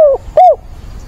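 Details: Decoy spotted dove with a mature voice calling to find a mate, 17 September: the tail of one falling coo, then one short arched coo, close-up and clear.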